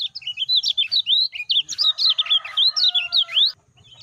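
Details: Stimulus recording of a lemon-bellied white-eye for caged birds that do not yet call well: a brisk, continuous series of high, swooping chirps for three and a half seconds, with a lower whistled tone beneath, then it stops.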